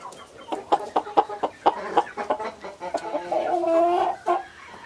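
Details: Chickens clucking in a quick series of short, sharp notes, ending with a sustained, nasal, harmonic call near the close.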